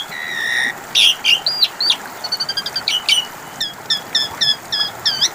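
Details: Asian pied starling vocalising in a lure meant to make a silent bird reply: a flat sustained whistle, then jumbled buzzy notes and a series of evenly repeated high chirps.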